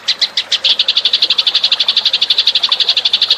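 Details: Lure call of the Eurasian tree sparrow: a few spaced chirps quickly building into a fast, regular run of bright chirps, more than two per second.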